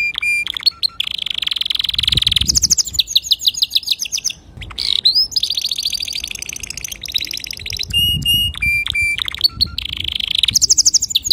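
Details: Male canary sings a clean training song for young canaries, with long buzzy rolls, rapid high trills and spaced whistled notes in varied sections, plus light low background hum.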